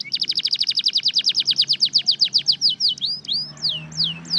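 A red factor canary sings a fast, high trill of about ten descending notes per second, then slows into a few sweeping, falling whistles.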